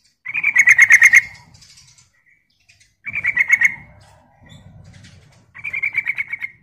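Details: Yellow-vented bulbul (trucuk) giving 'ropel' lure song: three separate bursts of quick rattling, pulsed notes about two seconds apart, with faint low background rumble between phrases.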